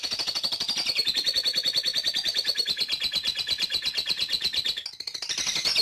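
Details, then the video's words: Lovebird ngetik chatter, used to provoke long ngekek singing, heard as a dense, buzzy, rapidly pulsed trill holding a high steady tone, slightly falling, with a short break near the end before resuming. "Suara Burung Lovebird Ngetik memancing untuk ngekek panjang"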